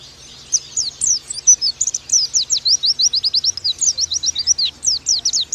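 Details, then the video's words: Oriental white-eye singing for a tutor recording: fast, piercing downslurred notes strung in a long lively chatter, briefly mixed with twittering, with faint low hum beneath. "Pleci Bakalan Nembak Pake masteran ini!!!"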